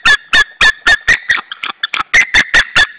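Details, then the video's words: Nesting white-tailed eagle pair in Saunja, Estonia, shouting at a third eagle, late April 2013 around 19:20: strident yelping notes with a brief softer, broken stretch midway before loud yelps resume. "Saunja Sulev arrived shouting than came Linda, both shouting to another WTE"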